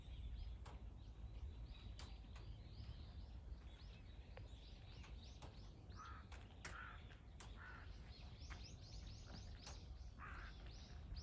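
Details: Three crows set against a hawk, recorded 21 October 2023: after a stretch of small-bird twittering, short rasping caws burst out around the six-second mark and recur later, over constant low rumble.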